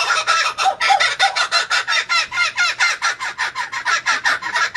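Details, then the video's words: Laughing kookaburra in full laugh: harsh, cackling hoots pouring out steadily at about four a second, rising and falling without a break. "Listen to Kookaburra birds laugh"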